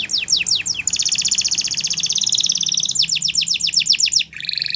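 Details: Belgian canary tutor song for young canaries. Quick downward-swept notes lead to a long, dense rolling trill, then another run of rapid descending sweeps, ending in a lower buzzy trill.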